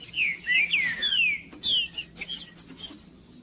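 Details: Green-winged saltator singing to warm up a cold bird: a run of clear, looping whistled slurs, several sweeping downward, in the first second and a half, followed by sharper clicks and brief high chips.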